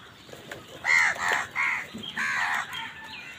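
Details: Crows fighting wild birds for food give a quick series of loud, grating caws, four or five hoarse notes close together, with the last ones softer and trailing off.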